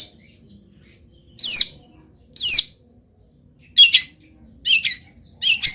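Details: A local long-tailed shrike singing persistently during moult, with its song full of wild bird imitations: two harsh falling rasps, then buzzy chattering bursts and quick clipped notes, with small soft sounds in between.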